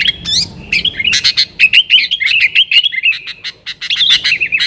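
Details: Lure song of a yellow-vented bulbul in nggaruda style, aimed at wild sooty-headed bulbuls: lively run of quick chirping and warbled notes, nearly continuous, with loud clicking ticks mixed in.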